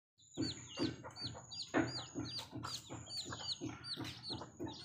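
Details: Native village mother hen with her baby chicks: low, soft clucks repeated roughly once a second, overlaid by the chicks' high, hooked peeping notes and a faint steady high whine.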